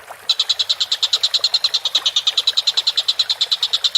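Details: Vigorous Collared kingfisher starts after a brief pause into a fast, even chatter of sharp, harsh notes repeated many times at one pitch.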